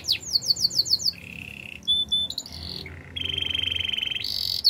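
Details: Canary training song in varied tours: a quick series of whistled notes, a low buzzy roll, short high pipes, then a long rapid rattling trill.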